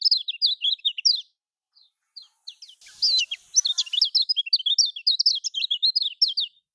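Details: Lombok Lemon-bellied white-eye, used to draw song from reluctant caged birds: quick squeaky chirps, a short lull with a few isolated notes, then a sustained rush of rapid high twittering.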